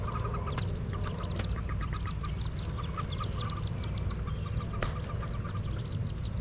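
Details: From beneath a nest box, Wood duck ducklings jump out while peeping: a continuous run of high, downslurred peeps, several sharp knocks or clicks, and a steady low background rumble.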